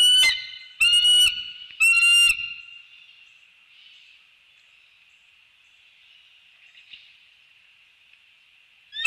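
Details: Wild bald eagle pair at their treetop nest in The Hamlet, north Florida, early morning of 15 December 2019, greeting and mating on a nest camera: three loud, shrill, squealing calls in the first two seconds, then a faint steady hum, and one more call at the end.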